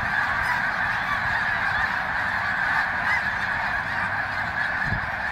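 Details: Thousands of Snow Geese gathered at Green Lane Park, Pennsylvania, on February 23, 2019 create an uninterrupted tumult of honks, with a soft low thump near the end.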